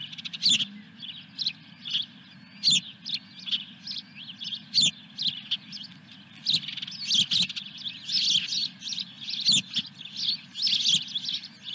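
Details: Fish delivery at an osprey nest on 17 May 2021: repeated high, piercing chirps in uneven clusters, punctuated by sharp knocks and a faint steady drone.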